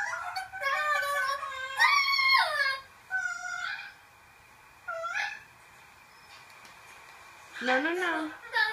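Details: Yellow-shouldered amazon parrot, a 10-year-old adopted male kept indoors, vocalizing in short, harmonic, speech-like bursts with rising and falling squawky notes, separated by brief silences, in a small room.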